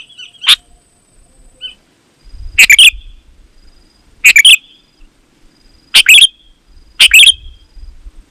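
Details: Sooty-headed bulbul song used as a lure for wild bulbuls and as a tutor for kept birds; a single note, then a pause, then bright chattering phrases about every one to one and a half seconds over soft low thumps.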